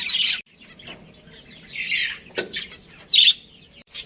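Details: Chirps from a budgie colony with a breeding pair. Scattered high, scratchy notes and short bursts are separated by quieter moments.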